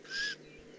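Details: A single short, harsh hissing screech lasting about a third of a second from a juvenile Eurasian eagle-owl in the Eifel, recorded 18 June 2016.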